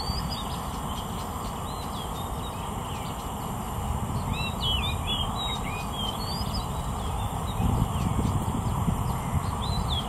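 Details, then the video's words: Oriental magpie-robin singing beautifully, a varied run of short, sweet whistled and slurred notes rising and falling, over a steady low rumble of wind or distant traffic. "Oriental Magpie-Robin Singing Beautifully"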